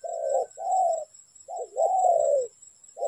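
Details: Spotted dove in a trapping context delivering drawn-out, husky coos, one with a dip in the middle before a long falling note, over a steady faint whine.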